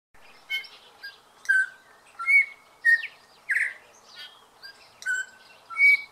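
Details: A male New Zealand bellbird (Anthornis melanura) sings its dawn song: clear, bell-like notes and short slurred whistles, about one phrase every half second, over a soft hiss of background chatter.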